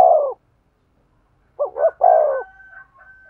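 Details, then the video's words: Spotted dove cooing to stimulate a male: a falling coo ends, silence follows, then two short rising notes and a long sinking coo, trailed by a faint steady whistled tone. "tiếng chim cu gáy thúc gù, tiếng chim cu gáy kích bổi"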